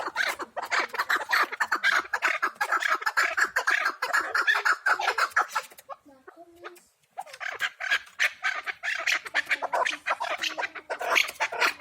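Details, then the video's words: Pamir chukar partridge kept as a hunting bird, giving dense, rapidly repeated clucking chuk notes that run on almost continuously, with a short quieter break near the middle. "Кабки шикори , кабки Помир"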